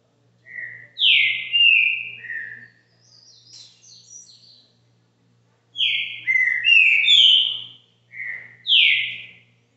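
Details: Caxinguelo song of a green-winged saltator at a home in Brazil: bold, slurred whistles in quick groups of three or four notes, separated by soft, thin high twitters and short pauses, with a steady faint hum behind.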